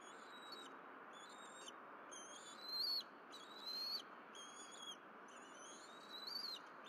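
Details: Bald eagles on the Berry College nest in April 2023, the mother delivering fish and three birds feeding; clear high whistled notes in short phrases about once a second, a few ending in a rising squeal, with a constant hiss behind.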